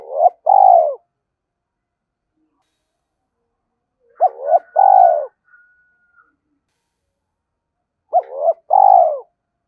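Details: Spotted dove decoy bird giving three cooing phrases about four seconds apart, each a clipped note followed by a long, low, descending coo. A faint steady thin tone is heard in the middle.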